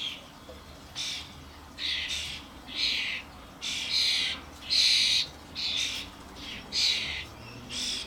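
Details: Common starlings (Sturnus vulgaris), adults with their fledglings around a garden suet feeder, many birds present, camcorder recording: about eleven harsh, hissing screechy bursts over eight seconds, each around half a second, fairly evenly spaced.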